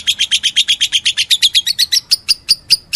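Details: Lovebird uttering rapid squeaky chirps that run close together, then slow in the last second into a few separate, thinner high notes; faint low hum underneath.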